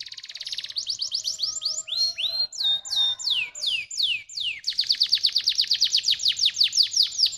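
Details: Stimulating canary song for other canaries, a varied high phrase of rapid repeated descending notes, then looping upswept whistles, ending in a long fast rolling trill of about six notes per second.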